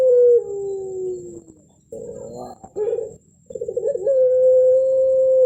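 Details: Prize-winning puter pelung (Barbary dove) in its contest melung style with a thick tail: a held tone sinks and fades, then clipped, throaty coo notes follow before a fresh smooth drawn-out note rises and holds steady; thin constant electronic whine throughout.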